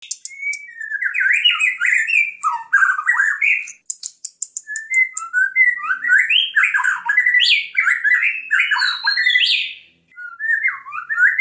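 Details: White-rumped shama singing nonstop, played as a lure for other birds: loud, rapid scratchy phrases with sweeping notes, broken by short pauses, plus thin high squeaks above.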